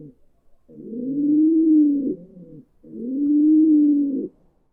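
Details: A pigeon in a pigeon coop gives two long, low, soft coos, each lasting about a second and a half with a throaty burr at the end, separated by a brief pause.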